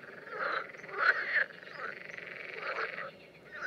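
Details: Common terns during mating behaviour in the Danube Delta in June 2016 give harsh, grating calls in short bursts, about one every half second, over a steady rough background hum.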